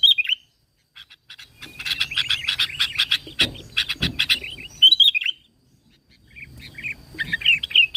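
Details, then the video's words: Sooty-headed bulbul recorded as bait to get other bulbuls singing; slurred whistled notes open and close the passage, framing a long chattering run of rapid clicks with two louder thuds. "PANCINGAN KUTILANG GACOR SUARA ASLI TANPA ISIAN"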